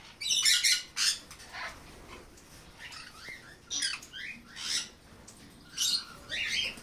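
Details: Black-capped parakeet (Pyrrhura rupicola) gives harsh, raspy screeches in uneven bursts, about eight in seven seconds, some rising or falling, with a quiet room background.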